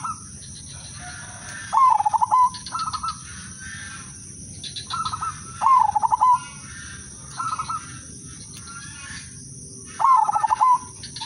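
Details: Zebra dove of the udanmas silver type singing as a lure bird: bouts of a fast pulsed coo falling to a held note, each paired with a softer higher phrase, roughly every four seconds.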